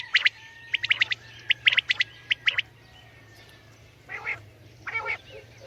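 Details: Common quail call: clipped, bright notes in tight groups of two or three, spaced by short pauses, followed by a few softer, harsher notes near the end.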